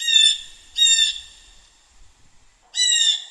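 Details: Blue jay (Cyanocitta cristata), call.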